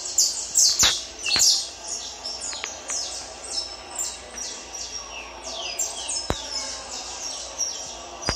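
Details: Dense, overlapping high descending chirps from a Peruvian saffron finch in tournament preparation, with a few sharp clicks or knocks cutting through the song.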